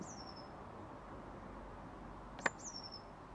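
Blue tit giving two very high, thin notes that slide slightly downward, about two and a half seconds apart. A sharp click sits between them over faint background hiss.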